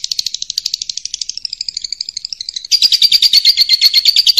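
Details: Lovebird masteran in ngekek style, meant for training competition and pet birds: an unbroken, fast, shrill chatter of tightly packed pulses that shifts tone midway and grows louder and harsher in its second half.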